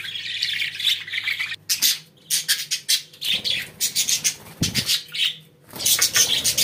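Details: Pet budgerigars chattering indoors, rapid scratchy squawks and warbles in dense bursts separated by short silences.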